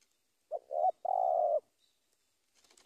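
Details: Spotted dove calling a rival, giving one phrase of two short low coos followed by a longer sustained trembling coo, with a faint rustle at the end.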